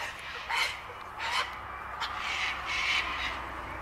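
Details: Sulphur-crested cockatoos at Bundanoon station, Australia, June 2021, sociable parrots in flocks screeching at one another; a series of short harsh rasping screeches comes about every second, some louder and closer, others fainter, over steady background hiss.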